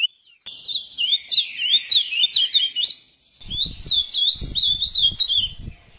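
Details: Ultramarine grosbeak (azulão) song: a fast, rich warble of looping whistled notes in two phrases, with faint low rumbling noise under the second phrase.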